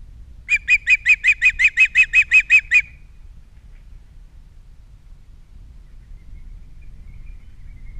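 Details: At a Captiva osprey nest holding three chicks, nest camera, 21 February 2022: a tight burst of about twelve rapid, shrill whistled chirps over two seconds, followed by quiet with faint low hum.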